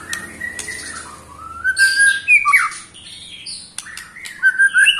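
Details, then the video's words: White-rumped shama, eight months old, giving its ketrekan song, said to agitate other shamas: long gliding whistles rising and falling, then short bright slurred notes and quick buzzy fragments, with faint background hum. "KETREKAN Pastol 8 bulan Bikin EMOSI murai Lain"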